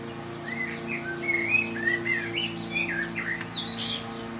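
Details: A male common blackbird sings from a roof in Lower Hutt, New Zealand, on a breezy late spring day: a rich, fluty warble of short mellow phrases ending in higher twittery notes over a neighbour's lawnmower hum.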